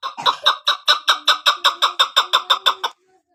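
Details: Chukar partridge, named as a female used for hunting, delivering a clean run of about thirteen harsh, evenly spaced chuck notes over three seconds, then falling silent.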